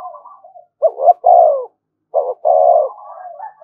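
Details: Spotted dove used as a decoy, calling nonstop to provoke fights. Two loud, hoarse coo phrases, each a stuttered start then a sustained rolling note, are framed by quieter, quavering low murmurs.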